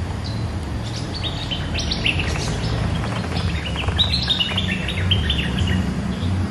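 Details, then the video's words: Resident bulbul reacting to a rival: two spells of busy, twittering high notes, the second louder and more rapid, over a prominent low rumbling background. "เสียงนกดอกแตงEp.209 ถูกคู่ เจ้าถิ่นริก!!กระจายเลย Suara pikat merbah lekir gacor"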